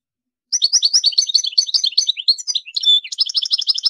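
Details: After a short silence, a goldfinch launches into an unbroken run of sweet, quick, high twitters with a brief clear whistled note midway.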